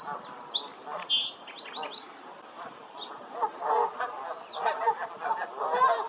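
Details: High whistled notes from a small songbird come first, followed by a rising chorus of Canada goose honks and chatter, dense and overlapping in the second half.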